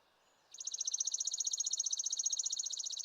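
Chipping Sparrow trill song: a fast, dry, even run of high chips, many notes in a couple of seconds, all on one pitch.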